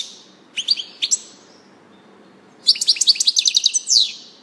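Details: A European goldfinch gives a few isolated high chirps, falls silent for about a second and a half, then bursts into a rapid tinkling twitter ending in a downward slur.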